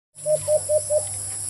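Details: White-eared brown dove giving four evenly spaced, hollow low coos at a steady pace, each note short and rounded, over a constant high hiss and a low hum.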